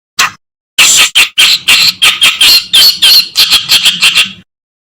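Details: Kerakbasi, a reed warbler, in a master recording for tutoring other songbirds: a short note, a pause, then a dense run of grating, scratchy notes with squeaky accents, delivered fast and ending abruptly.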